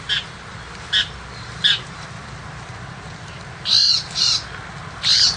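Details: Rural tiger shrike uttering single harsh, grating notes spaced about a second apart, followed by louder, longer rasping calls at the end.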